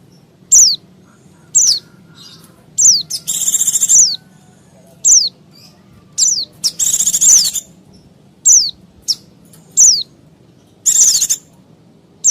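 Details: Busy white-eye (pleci) chatter used to lure wild white-eyes and other small birds: steady high downslurred chips nearly once a second, broken by three buzzy trilled bursts.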